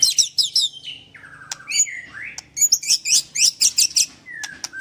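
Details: Captive white-rumped shama from a Kendal bird farm, Indonesia, in 'nembak' song: quick high chips, then sliding whistles dropping and rising, ending in rapid bright ticking bursts.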